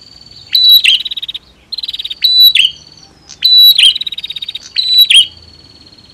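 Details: Dueling female and male prinias, meant to lift the mood of birds that will not sing: repeated high buzzy phrases, each with a sharp downward slur and fast ticking rattle, roughly every one to one and a half seconds.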